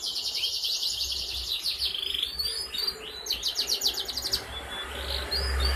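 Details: Lure song of a young canary aged four months, recorded 11 August 2021 to encourage other canaries: bright, rapid high trills and buzzy rattles, then a few short rising whistled notes.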